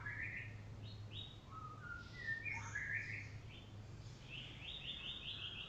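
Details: Golden Shama white-rumped shama singing sweetly as it is put out in the morning sun, with varied fast whistled phrases, short stepped notes and a closing run of rapid high chirps, a low hum beneath.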